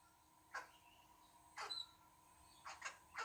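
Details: A lorikeet visiting a veranda gives quiet, harsh, scratchy screeches in short bursts, about five in all, some paired close together, between a woman's friendly greetings.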